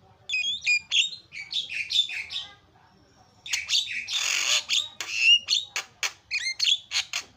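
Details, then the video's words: Lively, very noisy isian song of a Javan myna (jalak kebo) used as a training tutor: chattering whistled phrases and squawks, a short pause, then a harsh rushing burst and rapid sharp notes. "SUPER BERISIK JALAK KEBO SUARA ISIAN"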